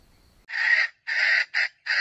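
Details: Red junglefowl used as an older bait bird for trapping wild jungle chickens, crowing with a young voice: a quiet start, then four harsh, rasping bursts of varying length, the longest near half a second, with brief gaps.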